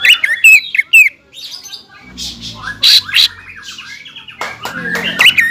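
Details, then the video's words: Greater green leafbird singing to provoke a rival: quick, loud whistled notes, then a rough buzzy burst over a low humming background, and bright whistles returning at the end. "CUCAK IJO GACOR MEMANCING EMOSI LAWAN BIKIN PANAS CUCAK IJO LAWAN"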